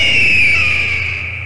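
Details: A Red-tailed Hawk gives its scream, the call films often dub onto Bald Eagles: one long, hoarse, high scream that slurs slightly downward and fades over about a second and a half.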